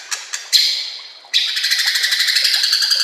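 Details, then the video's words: White-rumped shama singing for training other shamas: a few sharp ticks, a buzzy high note, then a fast harsh rattle of repeated notes about ten per second. "Masteran murai AMPUH"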